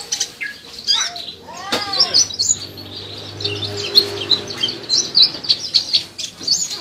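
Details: Purple-throated sunbird in Indonesia, in training to sing: thin, high twittering and scattered sharp chips, fairly faint, with a soft low hum and some rustling.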